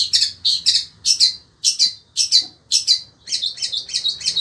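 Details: Caged shrike of the sembur type, kept in Indonesia, singing in intense heat: harsh, buzzy high bursts, often paired, repeated about twice a second with short gaps.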